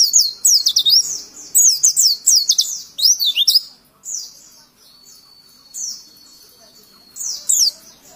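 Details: Oriental white-eye song used for teaching young birds: quick bursts of high slurred twitters for about four seconds, then a thin steady whistle with scattered single chirps.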